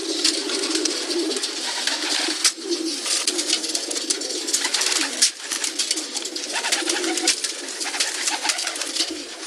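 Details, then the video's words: A flock of pigeons giving a steady, throaty cooing hum, many voices overlapping, with dense crackling, tapping and fluttering noises throughout. "Pigeon Sounds (3 Hours)"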